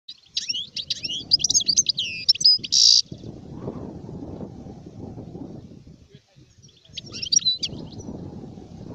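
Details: Adult European goldfinch song: rapid, tinkling, twittering notes with buzzy trills, heard for the first three seconds. Steady low rumbling noise then fills the rest, with a short burst of twitters near the end.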